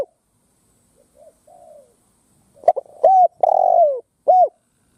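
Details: Spotted dove decoy bird placed on the ground, cooing to provoke wild doves into fighting: faint soft notes first, then a loud run of short coos, one long drawn-out falling coo and a final short arched coo.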